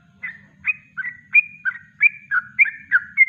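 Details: Natural kongslet song of a yellow-vented bulbul, a master recording for bird training: a steady string of liquid, slurred notes that drop and rise, about three per second, over a faint low background hum.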